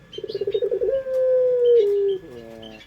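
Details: Lure song of a puter dove, pelung style: quick throbbing pulses build into a long smooth humming tone that steps slightly lower before ending in soft fading rolls.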